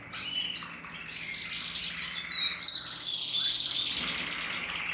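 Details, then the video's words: Singing Portuguese Harlequin canary from a breeding aviary, recorded 2024, delivers sustained high warbling, with buzzy rolling trills blending into long bright notes and brief sharp whistles. "Kanarienvogel Portugiesischer Harlekin singt"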